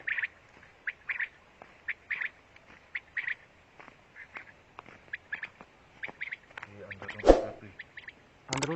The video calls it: Female Quail Sound// مادی بٹیر کی آواز